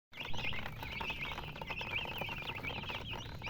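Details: Chicks cheeping steadily, a dense chorus of short high chirps that rise and fall, overlapping continuously through the clip with soft rustling and scratching underneath.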